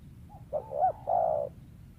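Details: Wild spotted dove valued as a lure bird, giving a low cooing call: a short soft note, then a rising-falling coo and a longer sustained coo, with faint low background rumble.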